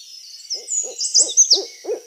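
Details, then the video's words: Owl uttering five short, hollow hoots about a third of a second apart, each louder than the one before, under a thin, high chirping and trilling from other birds or insects. "The Most Beautiful Owl in The World And Its Voice"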